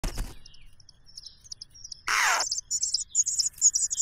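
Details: Cuckoo begging while being fed, stuffing food in and still wanting more: rapid runs of very high, thin chirps pulsing in bursts. A loud rustle comes midway and a thump at the start.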